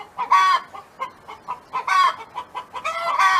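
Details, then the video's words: Farm hen's song: three loud, nasal, drawn-out calls rise out of short, soft clucking notes in quick succession. "Chicken Hen Sound Effect"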